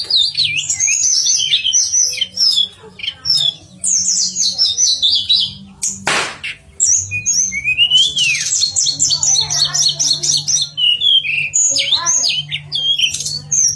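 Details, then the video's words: Pied fantail singing as training material for songbird contests: long run of high, sharp chirps and twittering phrases, a brief loud burst near the middle, steady low hum in the background. "Manis Kicauan TLEDEKAN"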